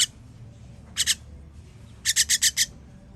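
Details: Chicks being fed on 21.06.23 give a pair of rasping hisses, a pause, then a quick run of five harsh, breathy notes near the end.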